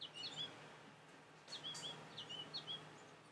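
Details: Young goldfinch perched on a bird feeder, calling out to other finches nearby: soft, high twittering chirps in short rising-falling clusters, repeated in several bursts over a quiet background.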